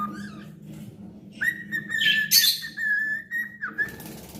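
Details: Cockatiel kept as a pet, singing: a brief whistle, then a long, steady, clear whistled note lasting over two seconds, broken midway by a harsh, scratchy chirp burst. A low hum continues throughout.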